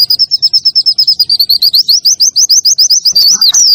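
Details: Clear nembak song of a white-eye for training caged birds, with kunti, wit wit and kenari parts: a fast chain of high twittering notes turning into a series of sharp upward-slurred chirps.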